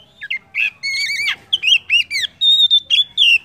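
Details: Oriental magpie-robin (kacer) song used as a lure to get other birds singing: varied loud whistles, looping slurs and harsher buzzy notes delivered in a rapid, uneven sequence, ending on steady high whistles.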